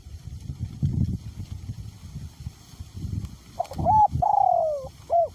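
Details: Spotted dove kept as a decoy bird, cooing in strong wind, its voice small to medium in pitch. After heavy low wind rumble, one phrase comes late: short rising notes, a held tone, a long falling drawl and a brief hooked note.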